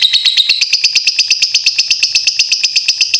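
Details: Lovebird lure sound meant to set other lovebirds singing: a fast, harsh, high chatter of buzzy notes at roughly three per second, held steadily for the whole stretch with no other sounds.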